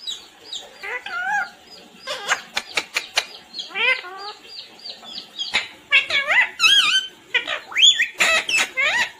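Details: Talking parrot in a stream of rapid voice-like syllables, wavering harmonic calls mixed with short sharp clicks, continuing almost without pause across the recording.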